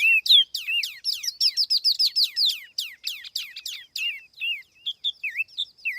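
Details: Lure recording of a Tiểu mi laughingthrush singing, free of background noise: a dense, fast stream of sharp downward-slurred notes and rising whistles. It eases into scattered, dipping whistled phrases near the end.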